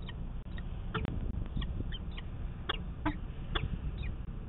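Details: Peregrine falcon pair at a nest in Manchester, New Hampshire, on 24 March 2020, during laying of the first egg while the male puffs on the ledge; scattered sharp, slurred chupping notes, about eight, over steady low hum.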